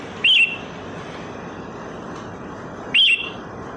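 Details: Sooty-headed bulbul heard wild in the open, as a lure sound: two short, bright, warbled chirps about three seconds apart over a steady quiet hiss.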